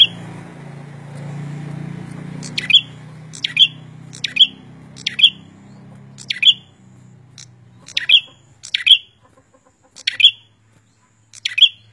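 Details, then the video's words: Bar-winged prinia song, male and female often singing together: sharp, bright notes, each with a clicking edge, repeated about once a second, with a low hum fading out early. "Suara Burung prenjak gacor"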